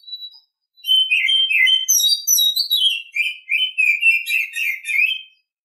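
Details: Oriental magpie-robin singing in the morning: a short lead note, then a continuous run of varied clear whistled phrases, sweeping up and down with sharp high twitters, lasting about four seconds.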